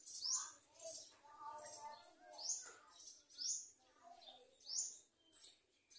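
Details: Garden sunbird feeding its young, reportedly while locusts threaten the chick: high, sharp downslurred chirps repeated roughly once a second, with softer lower twittering between them.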